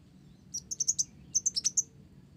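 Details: Olive-backed sunbird (blorok) singing gacor, its song filled with gelatik (Java sparrow) phrases: two quick bursts of five or six piercing high chirps, rapid and evenly spaced, separated by a short gap, with soft low hum underneath.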